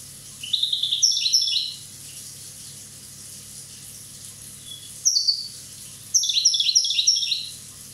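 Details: Corsican goldfinch, one year old, singing three bouts of fast tinkling twitters, each a cluster of high descending chirps separated by quiet pauses.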